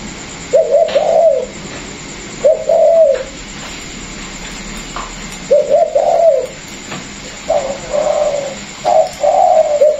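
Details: A caged pair of Vietnamese spotted doves offered for sale, one a former calling decoy and one newly caught wild; the singer is unknown. Five soft, low rolling coo phrases in an indoor setting, the last two close together.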